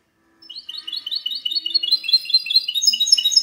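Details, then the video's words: Hybrid goldfinch song from 19 March 2020: a rapid stream of high, chirpy notes building steadily in loudness, with twittering trills climbing higher toward the end. "mixto de jilguero cante limpio"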